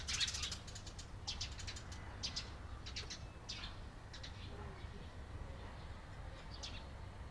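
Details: Eurasian tree sparrows on 28 April 2022 uttering clipped, high chirps, denser at first and then sparser, with soft low background rumble throughout.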